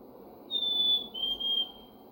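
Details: Black-capped Chickadee (Poecile atricapillus) giving its clear two-note whistled song, a higher pure note then a slightly lower one, over a faint steady background hum; spring, Ottawa area.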